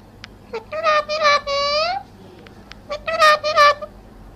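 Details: Pet parrot imitating human speech indoors, phrases include "mera pyara Babu": several harmonic, voice-like syllables in two bursts separated by a short pause, with a low hum underneath.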